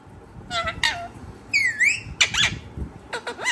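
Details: Parrot producing a run of varied vocal sounds: short squawks, a smooth rising-falling whistled sweep, and quick clipped notes at the end.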